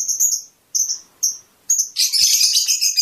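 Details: Fischer's lovebird chirping to stimulate mating: three short high sharp chirps with brief gaps, then a dense run of rapid shrill twittering.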